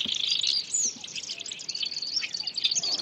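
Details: Black-browed reed warbler filmed at the moment it catches and eats an insect; a rapid, dense chatter of high scratchy notes and short buzzy trills runs continuously for three seconds without pause.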